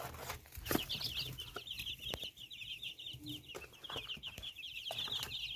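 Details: Domestic chicken chicks peep in a steady, high chorus of rapid, thin notes with no pauses, over scattered soft knocks and scuffling.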